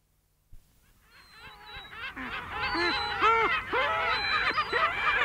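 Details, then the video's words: Adult Lesser black-backed gull with chicks gives loud, harsh 'kow' alarm calls, about two per second, each a nasal arched note with a rich, raucous timbre, while other gulls call behind. "Lesser Black-Backed Gull. 'Kow' Alarm Calls From Adult With Chicks Alarming"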